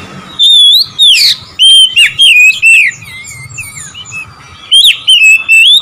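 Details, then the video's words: Oriental magpie-robin singing to provoke rival birds, with loud sliding whistles and rapid chattering notes in bursts, a quiet spell in the middle, and then renewed whistling. "memancing emosi Kacer lawan"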